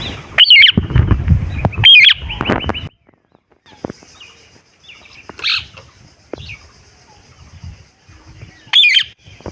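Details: Parakeet giving loud, harsh squawks in short bursts near 0.5, 2, 5.5 and 9 seconds, with softer scattered chirps between and a low fluttering rumble, like wingbeats or handling, through the first three seconds.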